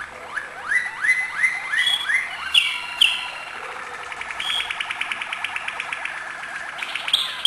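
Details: Malinois canary song with acute notes: a series of upward-sweeping whistled notes about twice a second, then sharp high chips and a long fast rolling trill held steadily.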